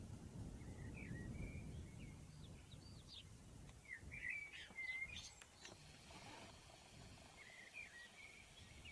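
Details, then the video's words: Red knot calls recorded on Helgoland or at Meerbruchwiesen by Steinhuder Meer: scattered short, sharp, slurred notes, some clustered, over rumbling wind and background noise. "Knutt - Bécasseau maubèche - Red Knot- Büyük kumkuşu (Calidris canutus)"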